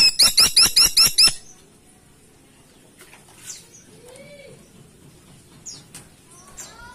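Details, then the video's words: Caladi woodpecker in full, loud voice: a quick run of about seven sharp, upslurred high notes lasting just over a second, then near quiet with a few faint, distant chirps and whistles. "Burung Platuk Caladi Gacor Ngeplong"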